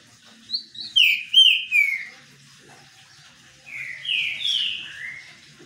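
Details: Green-winged saltator singing while bathing in the sun: a loud group of downslurred whistles, a pause, then a matching phrase of three falling whistles.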